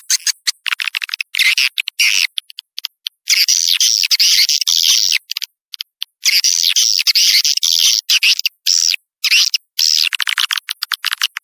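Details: Swiftlet lure sound for drawing in outside swiftlets: irregular bursts of buzzy, scratchy twittering, with clicks and short gaps in between.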